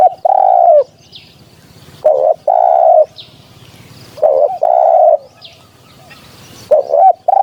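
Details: Spotted dove voice played to lure doves for hunting: rhythmic phrases of a short coo and a long, even coo, repeated roughly every two seconds, over a soft low rumble.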